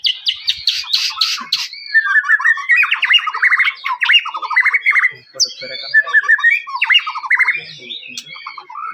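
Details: Loud white-rumped shama song meant to provoke other shamas into singing, opening with harsh buzzy bursts, then rapid stuttering trills and chattering phrases.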